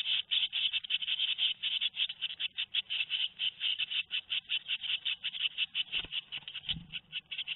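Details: Nestling tits, two weeks old, Théding, France, 13 May 2019: a rapid, insistent stream of rasping chirps repeated nearly twice a second, with faint low knocks near the end.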